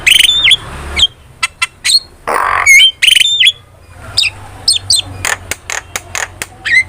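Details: ['Starling master song mixing warbling whistles, harsh grating squawks and short sharp chirps, uttered in uneven bursts with brief pauses.']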